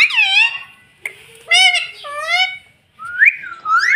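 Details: Pet rose-ringed parakeet talking, saying "mummy": nasal, voice-like syllables rich in overtones, a bending high note, then a pause and a rising squeaky phrase, indoors in a small room.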